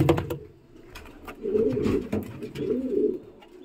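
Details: Homing pigeon from an import Jose Thone bloodline, shown with a red hen. Deep burbling coos come in two rounded bursts, separated by light clicks and taps in an enclosed room.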